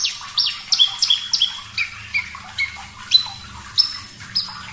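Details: Clear-voiced Javan bush lark singing briskly, a training master for cage birds: series of descending slurred whistles and chirps at first, then spaced high flat whistles toward the end.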